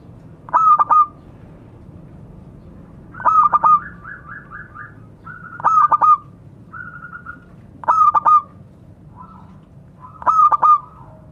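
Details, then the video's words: Local zebra dove calling to fellow birds: five stuttering coo phrases, each a few clipped notes and a held tone, come every two to two and a half seconds, with softer rapid note series between them. "Suara burung perkutut memanggil kawan"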